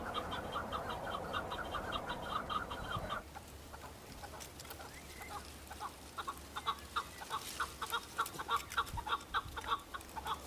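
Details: Male Chukar partridges on Mount Bamo in Kurdistan, Iraq, fighting and displaying to females during breeding season. A dense, rapid chorus of chucking notes for three seconds, then a pause, then scattered sharp clucks return, joined by rustling.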